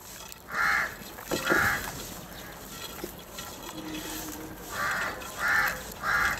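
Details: Crows fighting over food and calling for food while eating and feeding together; five harsh, hoarse caws, two near the start and three closer together at the end, over a steady background hum.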